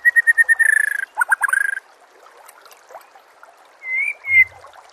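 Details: White-rumped shama (murai batu) song used as a training recording for captive songbirds: a rapid run of repeated bright notes, then a smooth rising-falling whistle, over a soft background of running water.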